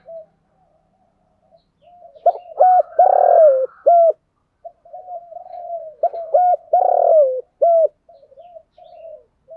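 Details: Spotted dove decoy cooing to excite wild doves. Two full phrases of short notes, a drawn-out coo and a closing short coo, with soft continuous murmuring coos before and between.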